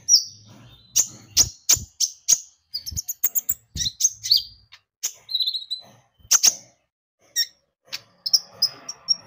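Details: Javan white-eye song for luring other birds to sing: sharp high chips spaced about a third of a second apart, quick twittering runs, and thin whistled notes near the end.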